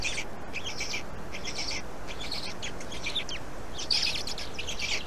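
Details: At a black stork nest in Estonia, 16 May 2019 at 14:01, when the second storklet shows up: raspy high-pitched bursts come in clustered groups with brief gaps, over constant low hum.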